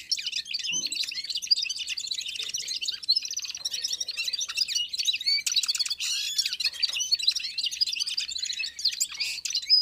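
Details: Red-fronted serins warming up and singing in unison with other small birds: dense, continuous high twittering of fast chirps, trills and short whistles, with no pauses throughout.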